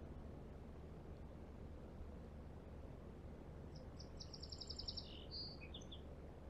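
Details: A Song Sparrow (Melospiza melodia), an early spring arrival at Lake Onalaska on the Mississippi Flyway during the thaw on 3 March 2021, sings one phrase: a few clear opening notes, a quick high trill and a short tumbling ending, over a steady low rumble.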